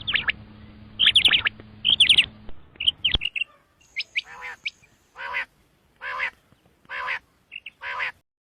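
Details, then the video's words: Common quail, known locally as batair, giving sharp high whistled notes in quick clusters, then a steady series of harsh rasping bursts about once a second. A faint electrical hum is heard early on. "Batair Ki khobsorat Mote Awazay|Batair Ki moty Awaz|Обыкновенный перепелиный зов |перепелиные звуки"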